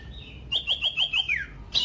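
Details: Common iora song played to spur other ioras into singing: a fast series of five bright descending-rising notes in a quick trill, followed by a short sharp note.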